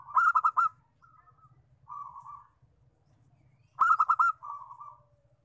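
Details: Local zebra dove sounding a lure call to attract wild doves. Two phrases each open with four punchy staccato notes and trail into a buzzy rolling coo. Quieter coos fall between them, over a low hum.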